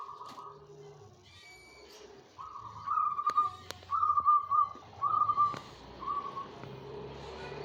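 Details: Caged zebra dove, banyumili style, singing freely soon after adapting to its cage. Short purring coos come in a rhythmic series of about four loud trilled phrases. Faint low murmuring lies underneath.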